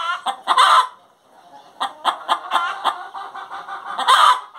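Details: A hen sings: a loud harsh cackle, a short pause, then a rapid series of clucks building into another loud cackle.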